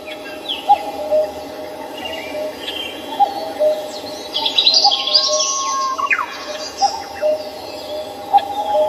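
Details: Samcheong Park, Seoul, birds calling: repeated low short notes across the whole stretch, joined midway by a cluster of high twittering and a brief dropping whistle.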